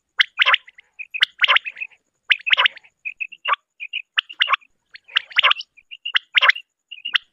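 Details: Common quail call used for morning quail hunting: harsh, broadband bursts about once a second, each followed by short clipped tonal pips, forming an uneven repeating pattern with silent gaps and no other sounds.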